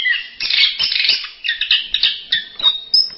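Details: Orange-headed thrush (anis merah) giving varied masteran-style song: dense run of chirps and short warbled notes, bursts roughly every half second, bright and high, ending in one thin sustained whistle.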